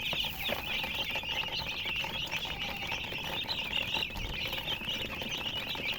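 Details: Chirping chickens: a constant wash of many high, overlapping peeps over steady hiss, with no single call standing out.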